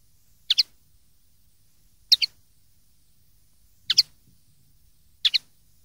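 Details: Common linnet on a 2013 recording made for young linnets to copy: four crisp, high double chirps evenly spaced about every one and a half seconds, with faint low rustling between them.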